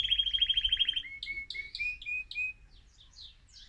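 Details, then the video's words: Male mosaic canary, excited, singing to stimulate other birds: a fast even trill about ten notes per second, then spaced two-part chirps that fade into soft, high twitters. "أجمل تغريد ذكر كناري هائج موزاييك لتحفيز طيورك"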